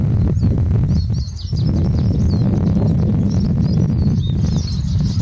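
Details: Rapid, high, tinkling twitter of a Eurasian siskin, a flowing chatter of short slurred squeaks and trills lasting throughout, over constant heavy low-pitched wind-like roar.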